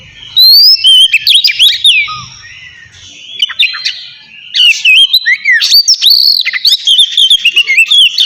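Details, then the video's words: Kacer, the oriental magpie-robin, delivering relaxed ngeplong song: rapid bright whistles and twisting slurred notes in loud bursts, a quieter gap mid-way, then a long run of varied chirps and whistles. "suara kacer ngeplong santai cocok buat mancing kacer malas bunyi"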